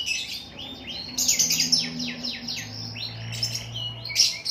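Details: Atlantic canary in vigorous, full song: rapid buzzy trills and rolling chirped phrases, mostly high-pitched, flowing almost without pause; a faint low hum runs underneath.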